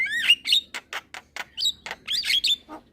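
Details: Young Javan myna in full lively song while bobbing its head, a rapid run of harsh broadband chatters mixed with short whistled notes near the top, bursts following each other about every quarter second.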